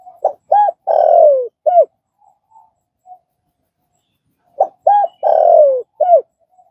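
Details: Spotted dove cooing, for training a newly caught dove to call quickly. Two full low phrases about four seconds apart, each with short coos and one long downward-sliding coo, a few soft notes between.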